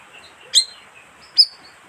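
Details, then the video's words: Two loud, shrill chips almost a second apart, from the lure call of the bayeman, a flocking bird, over soft background noise. "suara pikat burung bayeman"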